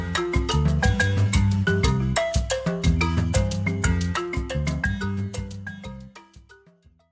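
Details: Upbeat mallet-percussion music with a bouncy marimba melody over bass and drums, and no animal sounds.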